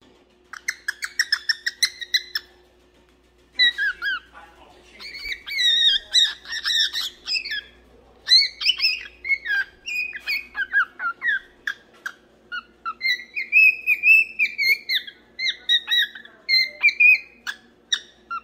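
A cockatiel sings a run of clear, whistled notes with chattering, warbled phrases in between.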